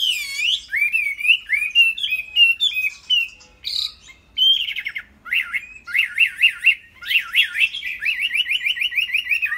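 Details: Kept Chinese hwamei pouring out a long varied song: looping whistles, short clipped notes, then fast rhythmic zigzag trills repeated many times in quick succession.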